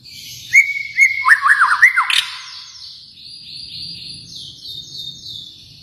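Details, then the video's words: White-rumped shama from Kalimantan giving a brief burst of clear whistles and quick descending notes, then fading to soft high twittering over a quiet background. "murai batu Kalimantan"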